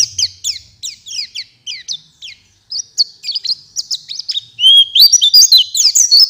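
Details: Oriental white-eye singing in response to another bird: a string of sharp downslurred chirps repeated roughly three per second, then a bright, tumbling, high warble of quick trills and whistles.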